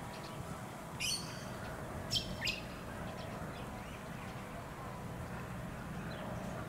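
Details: Australian wood duck on the Sunshine Coast, Queensland, in August, giving three brief, high, nasal calls, one and then a close pair, over a steady low background rumble.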